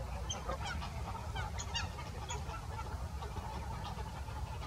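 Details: Greater white-fronted geese calling at Salford Priors gravel pits in January 2021: many overlapping, high, squeaky yelps and honks in rapid clusters throughout, with a continuous deep background rumble of wind.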